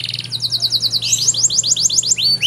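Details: Canary master song for training other canaries, with luxurious variations: a quick rattle of short high notes shifts into a run of rising, swooping whistled syllables, each repeated several times per second over a faint low hum.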